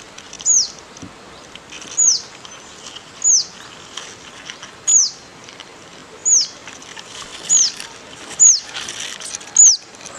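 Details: Bird chirping in Goa, India; a single sharp, high descending chirp repeated roughly every one to one and a half seconds over a faint background hiss.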